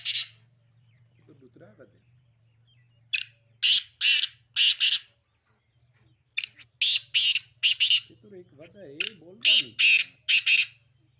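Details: Repeated grating phrases from a Sindhi black francolin, three series of four to six scratchy notes, with soft wavering tonal sounds between the phrases and a low hum.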